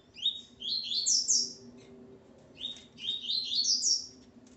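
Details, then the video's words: Male Coleiro (double-collared seedeater) kept with his female, singing two bright phrases of quick rising chirps that climb in steps toward a shrill peak, with a brief pause between them; faint low room hum underneath. "Coleiro Ponto 50 e sua Fêmea Calibre 40."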